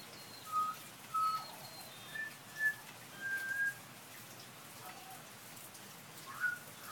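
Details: Pied butcherbird sheltering from rain under verandah eaves, singing and mimicking car alarms and a cat's meow; clear, pure whistled notes, some held and some slurred, in spaced phrases with pauses between, over steady rain patter.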